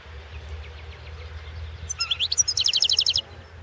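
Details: European goldfinch competition recording from the 2016 World Championship in Goldfinch Song: faint soft notes at first, then a loud rapid burst of high, liquid twittering trills lasting about a second and a half over a low hum.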